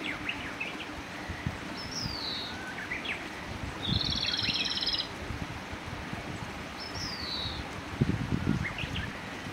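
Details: A migrating Rufous-tailed robin in early morning, singing in response to another individual's voice: high, rippling trills, some sliding downward, every few seconds. Softer chirps from other birds, rustling and low background rumble are also heard.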